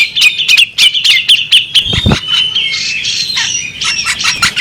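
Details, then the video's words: Female bearded magpie robin uttering rapid clicking chirps that merge into a sustained, thin, squeaky warble, broken near the middle by a couple of low thumps. "the alluring sound of a female bearded magpie robin"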